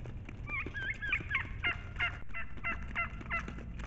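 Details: Turkeys being brought food in brush beside a field near a marshy area, about 300 ft from a house, call in a rapid overlapping chorus of short nasal yelps and clucks, about three a second, with higher squeaky notes early and a low rumble beneath.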